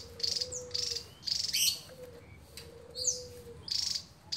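Javan tesia giving high, buzzy, drilling trills about twice a second, broken by sharp rising whistles, over a faint steady low hum.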